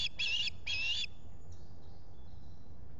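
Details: Osprey at a nest camera site in the Finger Lakes, US, during a visitor's arrival one July 2021 morning: three quick, shrill, whistled chirps, then quiet with low background rumble.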